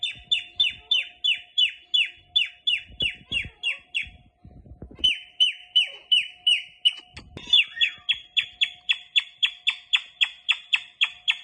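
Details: Indian ringneck parakeet kept as a pet, giving a long run of sharp, downward-sweeping shrill chirps, about one per second, pausing briefly midway, then resuming faster with slightly harsher notes; a steady low hum underneath.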